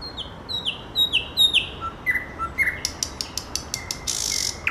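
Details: Nightingale song with a run of clear descending whistles repeated in sequence, then lower short notes and a rapid string of dry clicking pulses, closing with a brief rasping burst.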